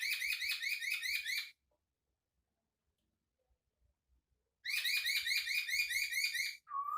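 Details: Chinese Hwamei, called Poksay Hongkong, singing a unique song: two bursts of rapid, repeated rising chirps with rich harmonics, separated by about three seconds of silence, ending in a short low whistle.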